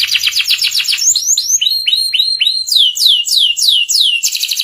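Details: Canary singing a master recording for young birds learning ngeriwik: a quick trill, then repeated sharply descending whistled sweeps, about three or four per second, ending in a dense rattling trill.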